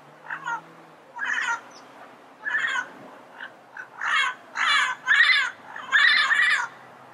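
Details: Yellow-headed parrot calling in the wild: a run of rough, nasal squawks, at first spaced and then coming faster and louder toward the end, over a soft background hum.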